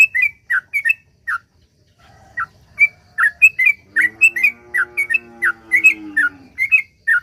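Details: Lure recording of a sooty-headed bulbul in long rapid 'ropel panjang' song, used to set other bulbuls singing. Short liquid chirps come in bursts with a brief pause, then a harsh, droning, buzzy sound sits beneath the later notes.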